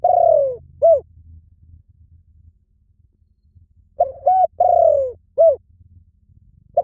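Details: Spotted dove repeating its cooing phrase twice, about three and a half seconds apart, each ending with a long falling coo and a short arched note; faint low hum underneath.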